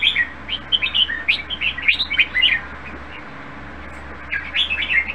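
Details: Caged red-whiskered bulbul, praised as a fine-voiced bird nearly ready for singing contests, gives quick bursts of bright warbled, slurred notes in two bouts, a pause of about two seconds between them, over a steady low hum.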